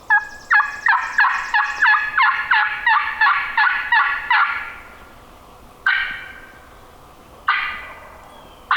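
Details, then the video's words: Male wild turkey gobbling down a hill on public land in Minnesota, the same bird hunters were set up on that morning: a rapid burst of rattling, stacked notes for about four seconds, then two separate single loud blasts. "definitely the bird we were on this morning this morning he's gobbling down the hill a little bit that's three times four times"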